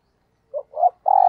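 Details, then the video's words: Decoy spotted dove in the 'thúc gù' cooing style. Three notes: a short low coo, a slightly longer swelling coo, then a long, steady, throaty coo held for a moment. The background is otherwise silent. "Tiếng Chim Cu Gáy Thúc Gù - Chim Cu Mồi"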